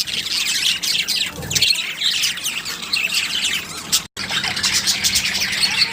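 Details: Budgerigars, a breeding pair of Australian parrots, keep up a continuous busy squawking and chirping, harsh high notes overlapping throughout with a brief gap near the end.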